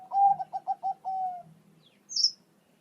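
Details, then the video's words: Song of a Bangkok zebra dove, meant to provoke pet doves into answering. A run of five clipped, evenly spaced coos ends in a long, smooth, slightly falling note. A brief high chirp follows. "Suara Perkutut Bangkok Di Jamin Bikin Nyaut Burung Perkutut Milik Anda"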